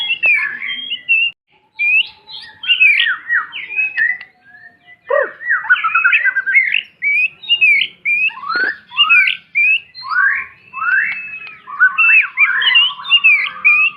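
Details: White-rumped shama singing a tutor song for young birds learning to sing: a varied, continuous stream of whistled phrases, slurred rising and falling notes and quick chattering bits, mostly in a clear mid-high range.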